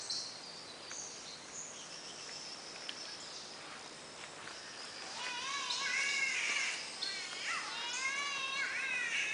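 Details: Wild birds singing in a rainforest near Brisbane, Australia: high thin whistles and chirps, then from mid-clip a stronger chorus of rising, wavering whistled phrases with overlapping callers.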